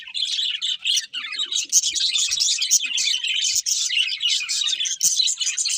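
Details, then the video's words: A group of budgerigars chirping and warbling contentedly while eating, their high, scratchy twitters packed closely together with only short gaps, and occasional faint low taps. "Happy Budgies Singing and Eating | Love Birds Chirping Sounds"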